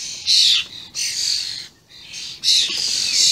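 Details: Vocal common starling youngsters and adults, recorded 28 May 2016: three drawn-out raspy, buzzing screeches with a short gap between each.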